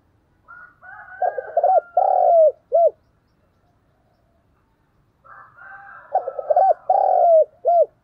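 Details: Spotted dove used as a lure, calling to draw in wild doves. Two matching cooing phrases about five seconds apart, each a faint, raspy lead-in, quick paired coos, a long drawn coo and a clipped final note.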